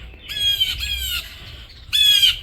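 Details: Blue Jays give harsh, raspy jeer calls, three loud screams in two and a half seconds, mobbing a captive falconry hawk in her mew after she caught one of them; they had harassed her for weeks; faint hiss.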